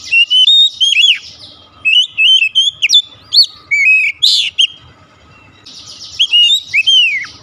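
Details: Kacer song meant to provoke a caged magpie-robin into vigorous singing: bright whistled phrases with wavering, falling slurs and sharp rising flicks, three bursts of song with quiet gaps, and a rasping buzzy note in the middle.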